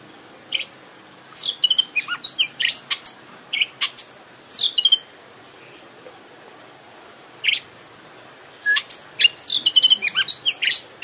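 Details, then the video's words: Oriental magpie-robin, locally kacer, singing as a lure to get a bird vocal and fanning its tail; two bursts of rapid high chirps, trills and whistles separated by a quiet gap, with a faint steady high hum. "Pancingan KACER agar GACOR dan EMOSI BUKA EKOR"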